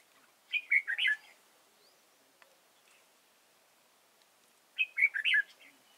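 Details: Red-whiskered bulbul used as a trapping decoy at Chùa Hương, Vietnam, 31 March 2018, gives two short, liquid whistled phrases of four rolling notes each, about four seconds apart, with faint clicks between.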